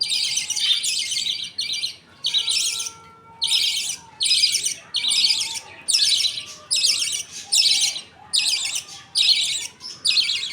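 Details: Feeding time in a budgie colony, the father feeding two chicks with the mother nearby and other budgies waiting. A long series of harsh, hissing-buzz bursts, nearly evenly spaced about every 0.8 seconds.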